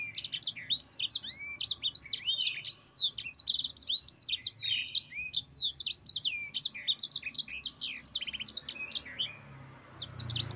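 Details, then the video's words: Long rolling 'ngerol panjang' song of a yellow-fronted canary (sanger), played to lure and tutor other birds: nonstop high twittering phrases with swooping whistles and quick trills, a short lull near the end, then singing resumes. "Suara Burung Sanger Gacor NGEROL PANJANG PEDAS"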